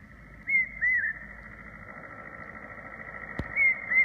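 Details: Large hawk-cuckoo in Bhutan in April 2016 giving shrill whistled notes in pairs, each slurred up then down, repeated after a pause over a steady background hum and one sharp click.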